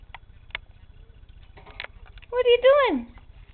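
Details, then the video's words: Pet male Monk parakeet (Quaker parrot) acting silly and shy while being filmed; the owner reports he says "pretty bird" and "bird," clucks like a chicken and makes kiss sounds. Here he gives a short, rising-then-falling voice-like phrase after soft clicks and taps. "Quaker Parrot talking and being silly"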